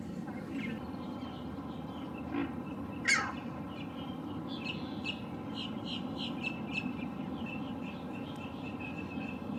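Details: A perched male Green Heron, recorded with a Lumix GH6 and 300 mm lens, gives a single sharp, harsh call early on, followed by a dense chorus of other small birds chirping and trilling.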